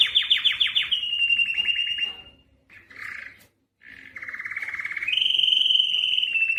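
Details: A Spanish Timbrado canary (Serinus canaria) sings rapid metallic trills and rolling tours. Fast pulsed notes give way to sustained ringing rolls that shift pitch, with a brief pause midway.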